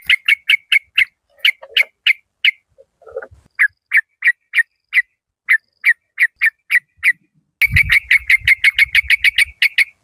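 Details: A caged yellow-vented bulbul decoy, Malaysian local strain, with a fierce, rattling 'rik-rik' style. Sharp whistled notes repeat steadily for many seconds and speed into a dense rapid string at the end, over soft low bumps.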